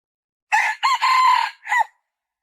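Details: Red junglefowl hen gives a harsh, hoarse four-part call: a short note, two longer drawn notes, then a brief clipped ending, all over about a second and a half.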